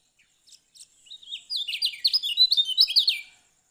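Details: Lemon-bellied white-eye from Lombok opens with scattered thin chips, then bursts into a quick, chattering run of high, sweet slurred notes that rises in loudness and fades at the end.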